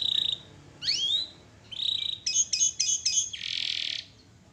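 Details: Canary in full song, used as training material for other birds: high whistled notes, a swooping upward slur, a rapid series of repeated chirps, then a buzzy rattle to finish.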